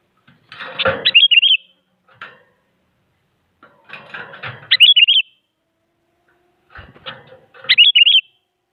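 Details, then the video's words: Sooty-headed bulbul, described as very active, sings to push other bulbuls into singing; three quick liquid whistled phrases spaced about three seconds apart, each preceded by rough rustling and flapping-like noise. "Suara Burung Kutilang Paling Aktif Memaksa Lawan Agar Bunyi Jadikan Kutilang Ikut Gacor"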